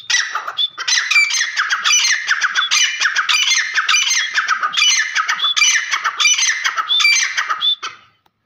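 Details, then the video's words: Grey francolin call: harsh, rasping squawks repeated in a fast, steady rhythm for almost eight seconds, rising and falling in loudness, with a few thin whistled notes mixed in, ending abruptly. "Dakni Teetar ki Mast Awaaz | Teetar ki awaaz"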